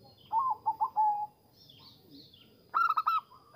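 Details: Zebra dove sound used to lure and stimulate zebra doves. A few soft, wavering coos are followed after a pause by a short burst of rapid, clipped cooing notes.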